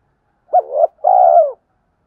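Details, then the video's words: Spotted dove giving its provoking call toward rival males: one quick hollow note swelling into a short murmur, a brief gap, then a long purring coo that gently drops in pitch before stopping. "Tiếng chim cu gáy kích bổi giọng hạp bổi, tieng cu gay kich boi nhanh noi"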